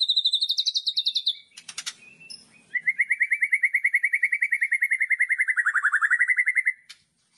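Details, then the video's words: Loud provoking song of a white-rumped shama in kretekan style. A high rapid trill and a harsh burst lead into a long, fast, rattling trill that dips in pitch before ending abruptly. "KRETEKAN Keras Kicauan Merdu Sangat Jitu Memancing Emosi Murai Batu"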